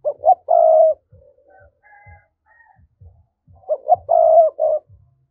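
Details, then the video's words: Spotted dove thúc coo, played to attract wild doves into traps: two repeated phrases of two quick rising notes and a long low hollow coo, separated by a pause with faint soft knocks. "Giọng cu gáy thúc hay, anh em mở lên kích bổi rất hiệu quả"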